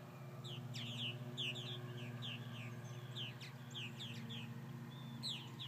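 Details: More than 50 purple martins, after several hawk attacks, trade short downslurred chirps and gurgles, a few every second, over a steady low hum; coyotes yelping and a mosquito buzzing are also present.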